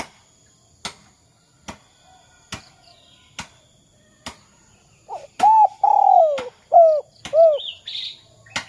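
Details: Spotted dove 'kuk 2' lure call for setting other doves calling. Evenly spaced clicking taps come first, then a run of coos: a long falling note followed by short arched ones, with a brief high chirp after.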